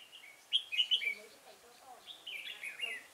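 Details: Red-whiskered bulbul from a decoy-bird trapping session at Chùa Hương, Vietnam, 5 March 2018. A bright three-note chirpy burst is followed by a longer, softer, jumbled warble.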